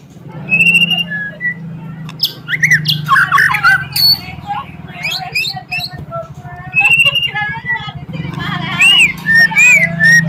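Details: White-rumped shama in full song, used to provoke rival birds: rich, fast bursts of clear whistles, chirps, rising slurs and harsh notes in rapid changing phrases, with short pauses, over a steady low hum.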